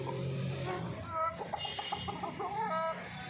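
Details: Domestic hens on a farm in Pakistan, short clucks and rising squawky notes over a low steady hum, with voices mixed in.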